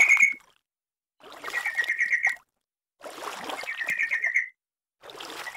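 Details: Sooty-headed bulbul on a recording meant to bring a bird into song: rapid trilled phrases of repeated notes, three main bursts with splashy water sounds and abrupt silent breaks between.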